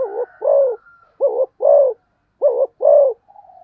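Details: Rapid cooing by a spotted dove, three paired coos, each a clipped note then a fuller drawn-out one, delivered at a brisk, even pace, ending with a soft hum.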